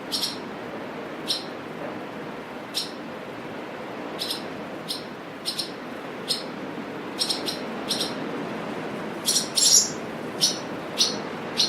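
Swallows give short, high, squeaky chirps, singly or in quick pairs, every second or so over steady wind noise.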